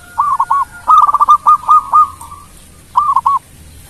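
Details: Local zebra dove singing, used to prompt rival birds to answer: soft, mellow coos in clusters, a short pair, then a rapid rolling series of about eight notes, a pause and another quick pair, over low background hum.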